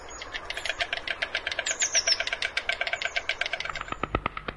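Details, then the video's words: A white stork gives a fast, dry clattering rattle of about ten clicks a second, with a few thin, high chirps over it. "White Stork Sounds"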